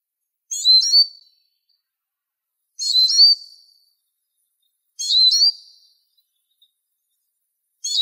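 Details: Eurasian siskin (Spinus spinus) repeating one crisp phrase roughly every two seconds: sharp high chirps merging into a thin, falling whistle, four times over a quiet background.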